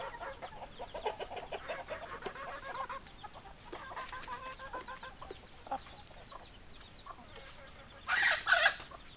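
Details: Flock of hens and roosters clucking steadily and irregularly, ending with a loud, harsh squawking outburst from one bird.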